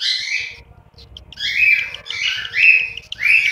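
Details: Cockatiel chicks in their nest in Juazeiro do Norte, Ceará, Brazil: a short run of buzzy, rising rasps after a brief pause, becoming louder toward the end.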